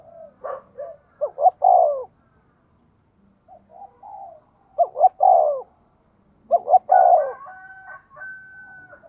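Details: Spotted dove used as a decoy to draw wild birds, cooing at a brisk pace: three clustered phrases of soft, throaty, rolling coos separated by short silences, with a faint thin whistle near the end.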